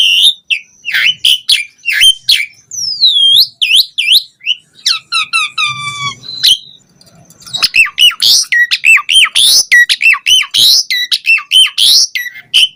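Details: Asian pied starling singing vigorously with a varied, richly filled song, used to stimulate other starlings to sing: harsh squawks, sweeping whistled loops and buzzy rattles, then a brief pause near six seconds before dense chattering notes resume.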